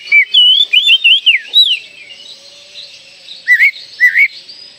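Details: Lure song of an Oriental magpie-robin meant to bring young birds into full song: a lively burst of looping, warbled whistles, a quiet gap, then two separate upslurred whistles.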